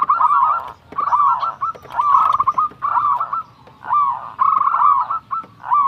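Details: Local zebra dove, used as a master recording to stimulate reluctant doves, sings mid-pitched, stuttering cooing phrases, each about a second long, repeated steadily with short pauses.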